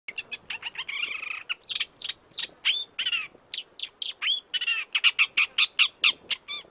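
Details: An Isabelline shrike in Iran gives a fast, varied run of scratchy chattering notes mixed with short rising whistles, several per second, in an otherwise quiet setting.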